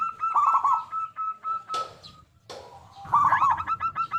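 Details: Local zebra dove in full, big-voiced song, meant as a lure to make other zebra doves sing: a rippling cooing roll followed by a run of quick, clipped hooked notes, broken by two sharp clatters and a quiet gap.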